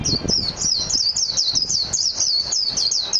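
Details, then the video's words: A Japanese white-eye sings a bright, unbroken chain of high, warbled notes in quick succession, loud and close. "تغريد طائر ابيض العين الياباني ميجيرو"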